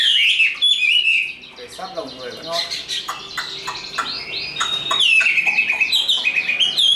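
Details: Tame caged Chinese hwamei delivering fighting song: bright high whistles, a burst of harsh chattering notes, then rapid warbled phrases rising and falling.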